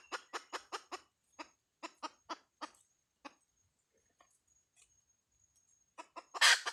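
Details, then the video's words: A hen gives short, raspy clucks, quick at first and then slower and more spaced, with quiet gaps. Near the end comes a sudden loud, broadband squawk followed by a couple of softer clucks. "Suab poj qaib Dib tsauj tuaj zoo"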